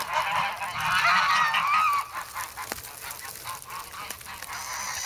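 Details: Hungry young geese in snow at Sloterpark, Amsterdam, filmed February 3 while pecking for bread; a loud burst of strained, rising honks for two seconds, then quieter scattered calls, clicks and a thin high whistle near the end.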